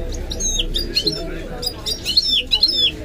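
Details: Goldfinch mule, a goldfinch × canary hybrid kept as a pet, giving scattered, high, twittering notes and short downward-sliding whistles over a steady low background hum.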